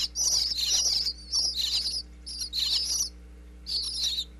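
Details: Close-up wireless-microphone recording from inside a Pennsylvania birdhouse of baby bluebirds chirping when their mother and father bring food: loud clusters of high, scratchy chirps separated by short silences, with a constant low hum.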